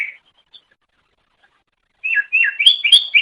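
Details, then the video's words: Cucak ijo song used as a master recording for training songbirds: a brief whistled note, a pause, then a rapid burst of varied chirping and whistled phrases. "Ocehan Suara Burung Cucak Ijo"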